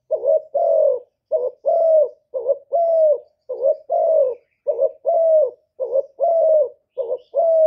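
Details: Spotted dove used as a decoy to entice wild birds, Cà Mau: a steady run of about seven coo pairs, short wobbly note then a fuller sustained coo, low-pitched and regular, background silent.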